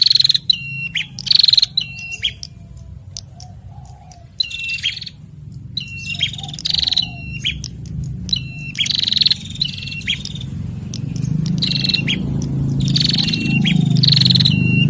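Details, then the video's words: Bar-winged prinia pair, male and female, kept together in an aviary, answering each other: repeated clipped whistles and short trills in quick bouts, with a steady low hum that grows louder toward the end. "Prenjak Jantan dan Betina Sahut-sahutan Gacor"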